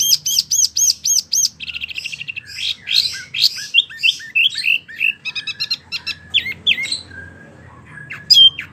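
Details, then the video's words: Wambie mini in full, vigorous voice for tutoring prize birds: quick rhythmic ticking notes open into a busy medley of chirps, buzzy phrases and fast twitters, with a faint hum throughout. "wambie mini super gacor"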